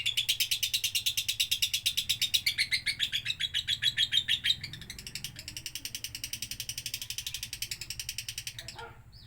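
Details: Lovebird song used as a training model: a long, rapid run of high, buzzy chattering notes, many per second, fading in loudness midway and ending in a short falling squeak.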